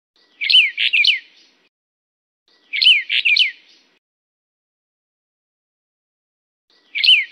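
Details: Brown bullfinch of the Taiwan endemic subspecies uchidae, a bird of mid- to high-elevation forest and scrub, gives short phrases of three clear, downslurred whistled notes, repeated about every three seconds, with silence between.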